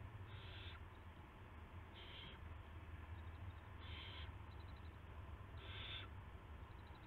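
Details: Owl at its nest early on March 9, 2016, a rat being brought in: four evenly spaced harsh hissing bursts, each under half a second, over a low electrical hum.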